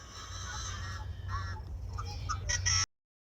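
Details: Yellow-headed blackbird making a harsh nasal buzz followed by short squeaky notes and a final rasping burst, against low rumbling wind noise.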